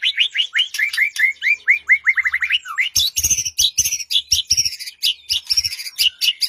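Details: Lure song of a white-rumped shama meant to set off a quiet bird, morning or afternoon: a rapid series of slurred whistled notes about ten strong, then loud, harsh, scratchy buzzing phrases.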